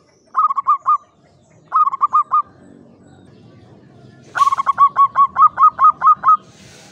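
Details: Zebra dove (perkutut jawa), a local bird in a classic Mataraman cage, gives a clear klowongan song: two short bursts of four rapid coos, then a longer run of about ten even cooing notes.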